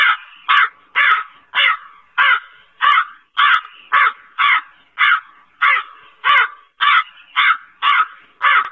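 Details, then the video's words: Black crow cawing repeatedly: around fifteen rasping, throaty calls in an even rhythm, one about every 0.6 seconds, against a clean, quiet background. "SUARA BURUNG GAGAK HITAM"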